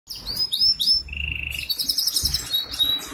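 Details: Goldfinch hybrid kept for sale in Ankara, Türkiye, singing a fast, varied song of high twittering notes, sliding whistles, a sustained trill and buzzy rattling phrases, delivered almost without pause.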